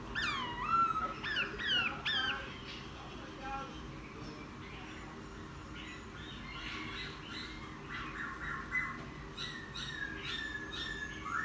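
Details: Recently trapped laughingthrush, caged for ten days and starting to sing, opens with loud ringing upslurred notes, then shifts to softer chattering and warbled whistles at a steadier pace.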